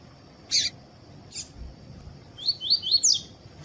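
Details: Double-collared seedeater in tui tui song style, recorded to warm up and train males for contests. Two sharp clicks come first, then a rapid phrase of about five rising high whistled notes at the end.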